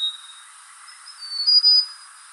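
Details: Mountain tailorbird at Fraser's Hill, Malaysia, recorded 15 February 2023, giving thin, high, drawn-out whistles, one brief and one louder held note, over a steady insect hiss.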